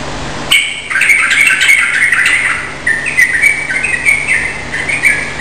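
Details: A kept sooty-headed bulbul, recorded as a lure call to prompt other bulbuls to answer, sings a lively run of bubbly, fluty notes in quick phrases, with a faint low electrical hum behind.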